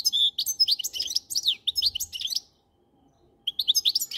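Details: Lively goldfinch twittering, a continuous string of high chirps and short slurred whistles for over two seconds, a one-second pause, then the twitter resumes.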